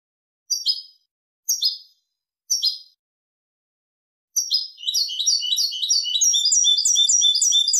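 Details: European goldfinch singing the Malaga song style, used for tutoring goldfinch and hybrid chicks. Three separate high, sharp tweeted notes about a second apart lead into a continuous fast, bright, twittering run of high chirps and trills.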